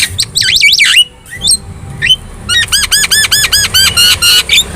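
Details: Javan myna in chatty gacor song, used as a tutor recording to prompt other birds to answer. Swooping whistled notes and a pause lead into a fast series of repeated arched, ringing chirps.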